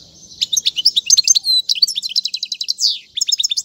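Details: Teaching song of a European goldfinch: lively, high-pitched twitters mixed with slurred whistles and a fast rattling trill, ending in short chirped notes.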